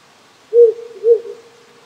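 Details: A wild owl hoots twice at night in the Japanese countryside, the two low notes spaced about half a second apart and ending in a lingering tone, backed by a gentle brook's rush.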